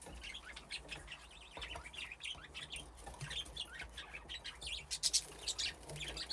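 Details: Budgerigars in an aviary with nesting boxes, a flock grown from two pairs, playing; dense high warbling chatter and chirps run throughout over a low background hum.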